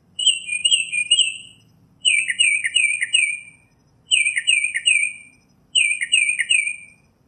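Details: Wild Northern mockingbird (Mimus polyglottos) singing in nature, giving long trilled, chattering phrases of one to one and a half seconds, repeated about every two seconds with brief pauses, over a soft low rumble.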